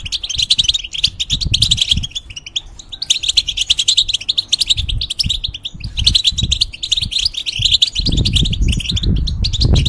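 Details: Caged European goldfinch used to teach song to young hybrids, giving a fast tinkling twitter of chirps and trills in bursts, with low thumping knocks beneath.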